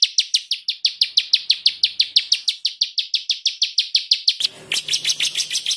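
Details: White-rumped shama tembakan fill from a master for training songbirds: evenly spaced, sharp descending notes repeated about three times a second, then an abrupt switch to a scratchy, rapid chatter.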